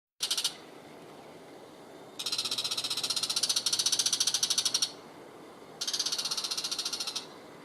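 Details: Bull-headed shrike giving its everyday call, loud each morning in a garden vegetable plot while perched on trellises or power lines: harsh, grating bursts of rapidly repeated raspy notes, one brief and two longer runs, over quiet background noise.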